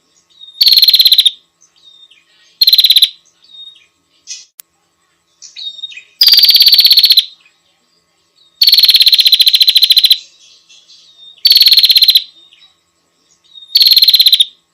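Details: Six loud buzzy trill bursts from a female bar-winged prinia, rapid high pulses of varying length, separated by pauses with scattered faint ticks and short soft notes.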